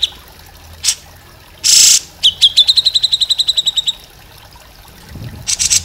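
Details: Grey-cheeked bulbul, a master recording for training other songbirds. A fast run of about fifteen clear, ringing notes on one high pitch, each with a faint higher overtone, with short loud rustling bursts before and after.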